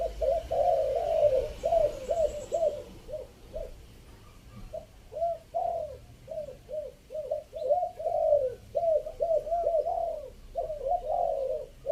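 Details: Spotted dove from Chiang Mai giving a three-note coo used as a decoy call: low, hollow, rounded coos in uneven groups, sometimes rapid and stuttering, with a pause midway, over faint background hum.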